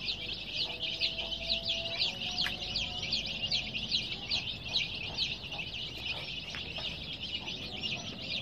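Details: A crowd of coloured chicks producing fast, shrill, repeated peeps, roughly two or three per second from the group, forming an unbroken high chatter over a quiet background.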